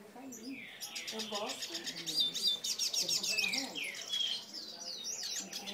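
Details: A fired-up male hooded siskin sings a fast, unbroken twittering stream of high buzzy trills and slurred chirps, with low murmuring voices faintly underneath.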